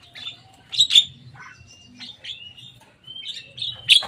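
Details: A Javan myna comes to play atop a cage and utters sharp, clicking chirps and thin drawn-out whistles, with a few buzzy notes in between and a faint low hum underneath.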